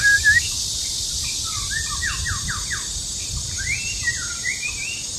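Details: Male white-rumped shama singing in Luodishan Nature Park, Mituo, Kaohsiung, Taiwan, June 2018: a sharp opening whistle, a run of descending slurred notes, then higher sweeping phrases, somewhat distant under a continuous insect drone.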